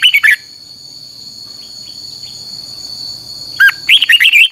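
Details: Song of a red-whiskered bulbul, played as a lure and voice-training sound for kept birds, in heated 'căng lửa' manner: a short burst of whistled notes, a pause over constant high-pitched hum, then a rapid run of five or six bright warbled notes.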